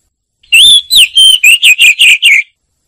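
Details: Lure recording of an Oriental magpie-robin: a long rising whistle, then about seven short, clear whistled notes in a steady run, each bending slightly downward, loud and ringing with no other sounds.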